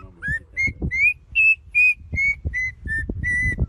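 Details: Bird song of clear whistled notes, each slightly rising or flat, delivered about two per second in a steady series of nine, with low knocking background noise.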